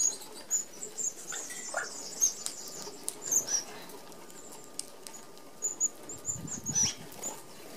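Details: Australian red-browed finches feeding as a flock at an open aviary feeder give scattered very high, thin whistled notes, with soft wing whirring and a brief low thump near the end.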